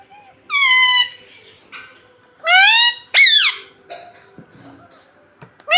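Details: Baby Indian ringneck parrot kept as a pet, trained to talk: long, steady, flat whistled notes rich in overtones, followed by a sharp upward-then-downward swoop, in a small quiet room.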